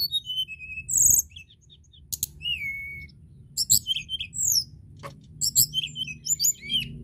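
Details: Crested lark singing vigorously to set off song in other larks: dense runs of high chirps, slurred whistles and trills with a few sharp clicks, over a low steady hum.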